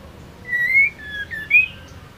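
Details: White-rumped shama hen giving whistles used to excite male shamas: a level whistle climbing at its end, a lower falling note, then a short high rising whistle.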